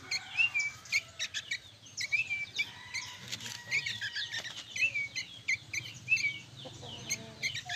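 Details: Noisy young sooty-headed bulbuls: repeated short whistled notes that rise then flatten, recurring about every second, among busy high chirps and clicks, with a faint hum behind.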